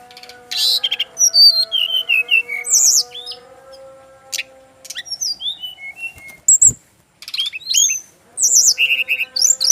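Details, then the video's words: Male Brown-chested Jungle Flycatcher from Bali, one that makes other birds of its kind answer at once: varied high whistled notes, falling slurs and fast trills in bursts, over a steady low electrical hum. "SRDC laen langsung nyaut denger suara burung SIKATAN RIMBA INi"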